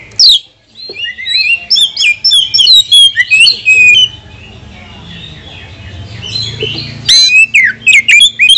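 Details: An Oriental magpie-robin song played to provoke rival birds: a quick string of sweet, looping whistles and scratchy notes for three seconds, a pause with a low background hum, then renewed sharp whistled phrases.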